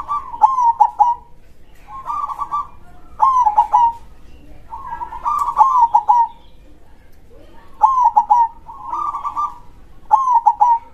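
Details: Local zebra dove singing loudly in the krosing style. Rolling, bubbling coo phrases with a trilled start and several soft pulsed notes repeat about every two to three seconds, clear and prominent against quiet faint background.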